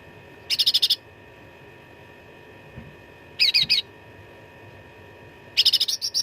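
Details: Grey-bellied bulbul, known locally as cucak ranting, in fighting-song mode for training contest birds: three separated bursts of fast, high, buzzy repeated notes, the last running into a tinkling trill, over low background hum.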